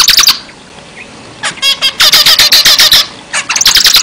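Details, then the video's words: Zebra finch singing briskly: a few buzzy notes, a pause, then a rapid run of about a dozen harsh, nasal beeps, followed by another short burst. "zebra finch gacor"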